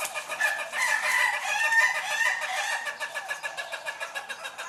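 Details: Ayam Ketawa (laughing chicken, manu gaga), a breed from Sidenreng Rappang, South Sulawesi, Indonesia, crowing in a long voice said to sound like human laughter, followed by rapid choppy repeated notes like laughing.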